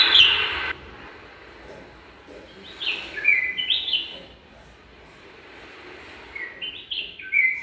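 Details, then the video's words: Nest-building bulbul pair in a garden: a sharp bright burst at the start, then bubbly warbling phrases midway, a quiet gap, and another lilting whistled phrase at the end. "Pair of Bulbul preparing the nest with their lovable voice"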